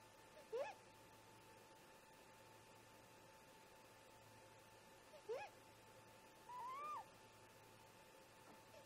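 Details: A pair of great grey owl parents talks at the nest around 04:25 MDT, 14 July 2017, caught on a nest camera: two brief upswept whoops about five seconds apart, then a longer rising whistle, soft above constant low hum.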